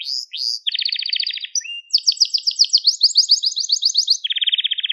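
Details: Crested Gloster canary song for young canaries to learn from: fast varied trills, a brief whistle, then a rapid buzzy high roll and a final steady pulsed trill.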